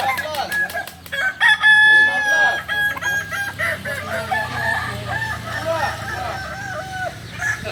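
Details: Kokok Balenggek roosters at a practice contest in Solok: sharp clicks open, then a loud ringing crow followed by long runs of rapid, stepped syllables from overlapping birds over low background hum.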